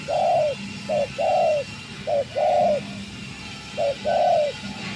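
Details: Wild spotted dove in Gia Lai, Vietnam, answering a decoy bird; low, soft coos in short and longer phrases of about five notes, a brief note followed by drawn-out hooting ones, over a faint background hum.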